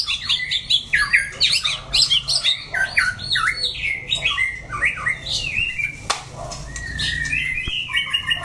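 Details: Orange-feathered white-rumped shama delivering a wild-style song, a dense run of rapid warbled and whistled notes with sharp squawk-like bursts, one loud click near the middle, then longer sliding whistles.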